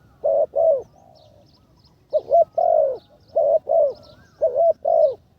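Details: Decoy spotted dove on the ground, third training session: two coos, a quiet gap of over a second, then three more pairs of low hollow coos, some ending with a slight downward slur.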